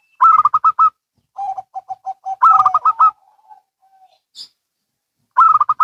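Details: Zebra doves, one local and one Bangkok, trade phrases: loud bursts of quick staccato coos separated by softer lower replies of evenly spaced notes, with a fading trill and brief quiet before the next loud burst.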